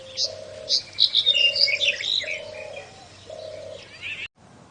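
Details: Outdoors, a cooing bird gives four steady low hooting notes in a slow row while other birds add bright, jumbled high chirps and twitters over them.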